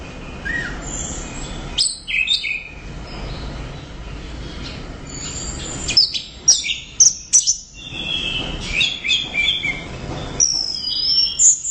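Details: Orange-headed thrush in extended song, mixing high whistles, sharp chirps and slurred glides in irregular bursts, with short quiet gaps between phrases.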